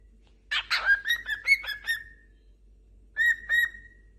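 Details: Cockatiel calling to another cockatiel: a burst of harsh notes, then a run of clear, repeated whistles that ends in a long, steady whistle. After a pause, two more short whistles are followed by another held whistle.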